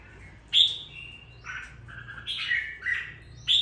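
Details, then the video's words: Red-whiskered bulbul, a caged bird bought young and raised for two weeks, utters a few clear whistled notes and a short slurred phrase over a soft background hum. "sau 2 tuần nuôi dưỡng em nó đã ra giọng có chút lửa"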